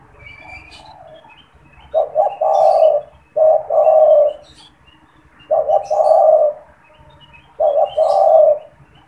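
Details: Spotted dove in a cage, a keen caller used to draw wild doves, gives four steady phrases about two seconds apart. Each is a doubled short note and then a longer coo, with a faint high chirp near the start.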